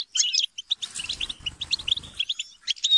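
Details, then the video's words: European goldfinches chattering and quarrelling together to trigger singing: short sharp tweets and a thin whistle, over a low pulsing flutter, possibly wings, in the middle. "بتبتة وتستسة وشجار الحسون - اقوى بتبتة جماعية لتحفيز الحسون على التغريد"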